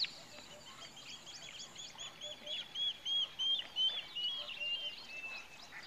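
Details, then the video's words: Pied Kingfisher calling in Kruger Park, South Africa: a long series of high, squeaky twittering notes in bursts, loudest in the middle, with a faint higher chatter early on. "Pied Kingfisher in Krugerpark"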